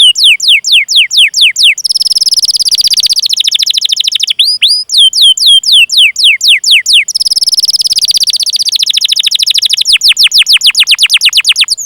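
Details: Long canary song with cuit-cuit calls and rolls, used as a lure for young, learning or silent canaries: repeated down-slurred high chirps alternate with fast buzzy rolling trills, then a final rapid series of sweeping notes.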